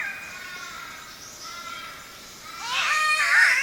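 Green Catbird giving nasal, wavering wails like a yowling cat, a quieter drawn-out note first, then a louder harsh wail rising and falling.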